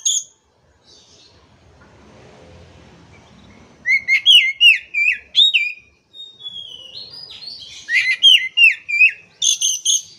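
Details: Oriental magpie-robin song used to coax a stressed, silent kacer into singing: after a faint lead-in, rapid loud downslurred whistles in a burst, a short gap, a long thin glide, then another quick string of sweeping notes.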